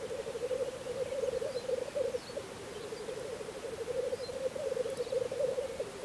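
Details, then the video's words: Black grouse lekking in Russia in spring: a continuous low bubbling, cooing chorus that rises and falls in loudness, with faint small bird notes overhead. "Black grouse lekking in Russia (Тетеревиный ток)"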